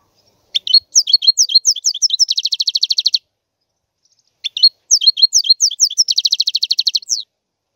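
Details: European goldfinch singing two phrases of quick twittering notes, each ending in a rapid buzzy trill of repeated notes, with a pause between phrases.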